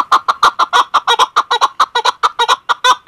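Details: Female chukar partridge calling: a rapid series of harsh, clucking chuk notes, about two to three per second, loud and steady throughout.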